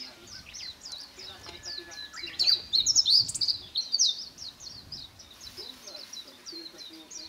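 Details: A probable blue rock thrush (identity suggested by others) on a seaside hill in Kamogawa, Chiba, Japan, 18 July 2021, singing opposite a lodging: a loud, clear warbled phrase over a few seconds, with a steady run of thin, high chirps behind it.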